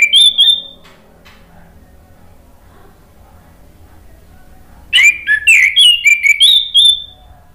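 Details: Male orange-headed thrush, a kept songbird used to trigger singing: a short whistled phrase, a long quiet stretch with low hum, then a rapid outburst of clear, varied whistles and warbles.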